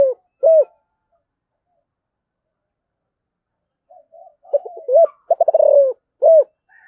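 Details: Spotted dove with a giọng thổ voice, calling: one low rounded coo note, a pause, then a full phrase of soft stuttering notes running into a quick rolling trill and ending on a clear rising-falling coo.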